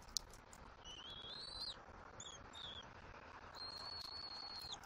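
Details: Bald eagle eaglet at a nest in Southwest Florida on 2.5.24, fed fish by the adult female after the male delivered a headless fish. Thin, high whistled notes rise and stretch out, with a few short chirps and a long steady whistle near the end, over soft hiss.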